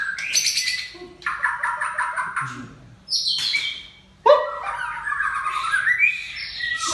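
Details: White-rumped shama of the Aceh type, called murai, singing a loud varied song of rich whistles, harsh buzzy bursts and rapid trills, with short pauses between phrases.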